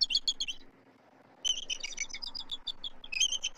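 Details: Nest-tree recording in Southwest Florida, 12 March 2024: both adult eagles call at an intruding immature eagle, with rapid high chittering series, a short pause, then long runs of piercing stuttered notes over a faint hum.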